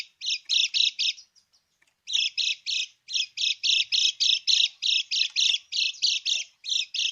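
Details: Lemon-bellied white-eye krekek, a luring call for birds reluctant to sing: a steady stream of scratchy, buzzy notes, roughly four per second, broken by a pause around one and a half to two seconds.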